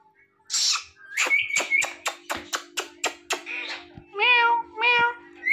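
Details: Talking parrot imitating a cat: a quick run of about ten sharp, clipped calls, then two drawn-out nasal meow-like sounds with a rising note at the end, indoors with a steady low hum.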